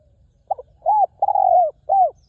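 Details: At a ground decoy, a wild spotted dove known for a good, very resonant voice gives a short stuttered note, an arched coo, a long sliding coo and a final curved coo, clear against a quiet background.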